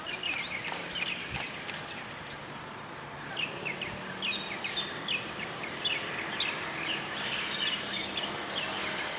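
Dusky thrush giving sharp, high chirping call notes in quick, uneven bursts, over steady background hiss with a few knocking sounds early on.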